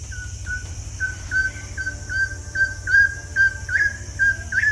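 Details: Crimson-headed Partridge on the Borneo rainforest floor giving a steady series of short, clear whistled notes, about two each second, the later ones slightly rising, over a low rumble.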